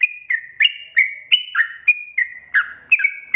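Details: Sooty-headed bulbul lure song meant to provoke wild birds into singing: bright, clipped whistled notes in quick succession, some sliding downward, switching back and forth between high and low tones.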